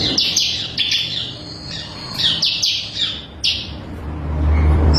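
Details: Bar-winged prinia of the crystal variety, recorded for use as a tutor song for training songbirds: bursts of sharp, high chirps that drop slightly in pitch, in quick clusters separated by short pauses, over a low hum.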